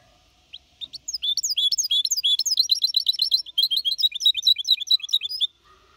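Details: Clean Malaga-copy song from a goldfinch hybrid aged four and a half months, 2021, sung to motivate other birds: a few opening chirps build into a continuous fast liquid twitter lasting about four seconds.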